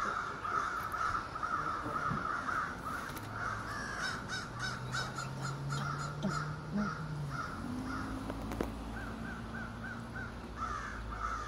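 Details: Morning calls of ravens, a flock of more than thirty roosting in trees across the street; a steady run of short harsh caws from many birds, with a low engine-like hum rising in the background.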